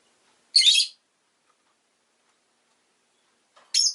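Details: Two strident, buzzy high chirps from a pet rosy-faced lovebird, spaced about three seconds apart with silence between.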